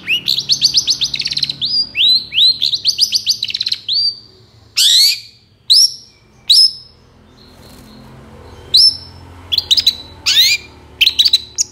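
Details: Long-tailed shrike song used to provoke lazy birds into answering and singing: fast runs of sharp, high, upward-swept whistles, then single loud rising notes, a brief quieter gap, and closing bursts of rapid, chirpy notes; clean, with no other sounds.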